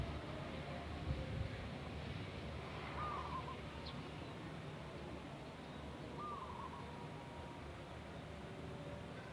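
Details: Natural local zebra dove, perkutut lokal alam, giving its bedah karang song: two short mellow rolling coos about three seconds apart, quiet against constant low rumbling noise and hiss.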